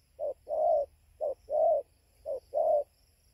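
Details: Spotted dove at a roosting tree in Gia Lai, Vietnam, 5:20 am, 24 November 2020, giving three evenly spaced pairs of low coos, each a brief clipped note followed by a fuller, rounder one, over a quiet background.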